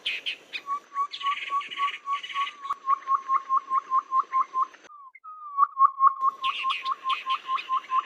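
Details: Babbler calls meant to lure birds for trapping, any season: quick trains of short, level notes interrupted by a brief silence and a sliding note, with dense higher chattering bursts at start and end.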